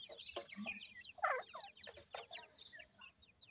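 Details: Captive grey francolin chicks of a gora teetar male and dakhni teetar female cross make jumbled high chirps and twittering peeps, several overlapping, interrupted by a few louder harsh bursts and handling noise.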